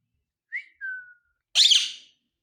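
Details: Talking rose-ringed parakeet gives two short clear whistles, the second long and falling slightly, then a loud harsh squawk with a rough, noisy texture.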